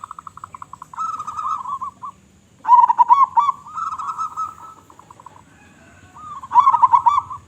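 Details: Perkutut lokal singing strongly to attract other zebra doves: a rapid ticking run leading into long rolling coo phrases, repeated bubbling bursts with trailing notes, and a final loud warbled phrase.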